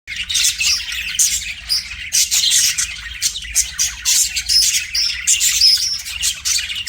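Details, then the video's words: Pet budgerigar singing to a mirror: dense, continuous chattering warble of rapid scratchy chirps and squeaks with brief clear whistled notes, unbroken for the whole stretch. "BUDGIE SINGING TO MIRROR"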